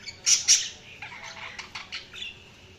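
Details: Budgerigars chirping: two loud harsh squawky chirps, then a series of softer scratchy chirps and warbles at irregular intervals, with steady low background noise.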